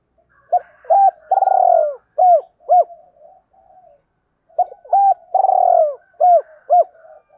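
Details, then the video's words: Spotted dove cooing, a recording used as a lure to draw wild doves in; two phrases of soft hooted notes, each with one longer purring coo among short rising-falling hoots, clean and quiet background. "tiếng cu gáy giọng hợp bổi dùng đi gác chim rất nhanh về cội"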